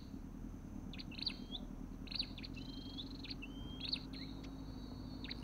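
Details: Olive-backed tailorbird giving a few spaced calls: clustered high ticking notes joined to a long, level, upslurred whistle, above a constant low hum.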